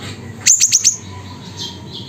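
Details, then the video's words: In Reului village, Pidie, Aceh, a siri-siri fires off four rapid, evenly spaced, shrill high notes, then falls silent while softer chirping of other birds continues faintly behind. "Burung Siri Siri Nembak Suara Gacor"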